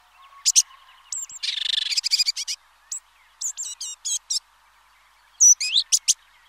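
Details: Red-backed shrike (Lanius collurio), call.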